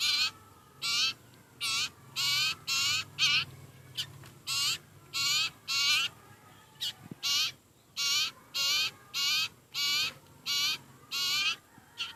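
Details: Sirpu, also called sirtu, begging while very hungry: a long run of loud, grating, buzzy calls, each about a third of a second, steadily repeated roughly twice per second.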